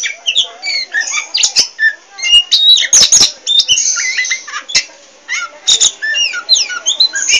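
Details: Chatty Oriental magpie-robin of the poci variety pouring out a dense, fast jumble of short whistled slurs, rising and falling chirps and loud clicking snaps with barely any gaps.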